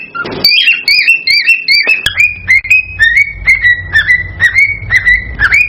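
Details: Male cockatiel singing excitedly to stimulate a female to mate and breed: repeated whistled phrases with rising, wavering notes, about two per second, delivered in a steady series; faint low hum underneath in the later part.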